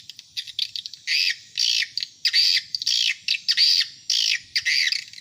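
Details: Swiftlet call played to attract adult swiftlets, harsh buzzy rasping bursts of about half a second, repeated roughly twice a second after a few quicker clicks.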